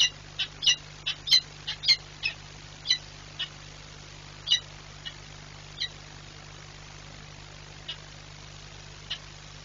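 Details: Peregrine falcon, a female, screaming as she leaps from her nest in Płock on 15 March 2022. Shrill, harsh cries come in a quick burst, then slow and fade, spacing out over several seconds above a constant low hum.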